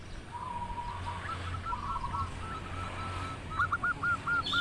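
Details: Local zebra dove in full voice, melodious song: a faint run of soft, hooked cooing notes near one pitch, quickening into a trilled burst at the end, over low rumbling background noise.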